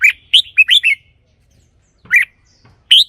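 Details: Red-whiskered bulbul song, played for decoy use or to excite caged birds: short, bright warbled phrases of three to four rapid notes, with a pause, then two more brief phrases. The background is quiet.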